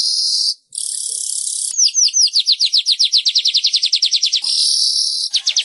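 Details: A weaver (manyar) singing: a high, sizzling buzz breaks into a fast run of about twenty sharp, down-slurred whistles, then returns to buzzing with a few more slurred notes.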